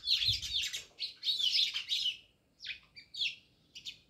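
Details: Near a village house at Jamnagar, house sparrows chatter in a loud jumble of high chirps for two seconds, then give sparser single chirps with quiet gaps, over a soft low hum.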